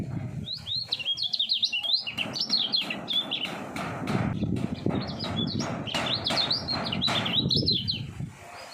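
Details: Common iora, three years old and a prospective contest champion, repeating quick rising whistled notes in dense clusters, accompanied by many sharp percussive clicks and steady low rumbling noise throughout.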